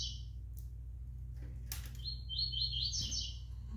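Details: Juvenile double-collared seedeater, five months old, gives a brief high twittering song phrase of fast chirped notes late on, preceded by a short rustling noise, with a constant low hum behind.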